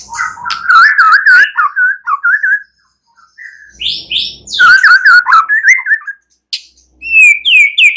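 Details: White-rumped shama singing at night, strong whistled phrases with rapid warbles, a pause, then more loud repeated whistles and high sweeping notes; aimed at prompting singing.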